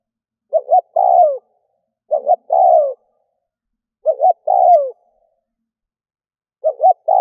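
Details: Spotted dove used as a decoy to draw in wild doves, calling in low mellow phrases: two short clipped notes, then a long coo that drops at the end, repeated four times about every two seconds against silence.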